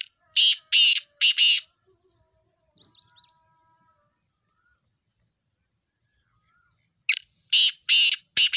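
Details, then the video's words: Black francolin calling: a loud, harsh, grating phrase of three rasping bursts, a pause of several seconds with faint distant chirps, then the phrase again with four rasping bursts. "kala tatter ke awaz"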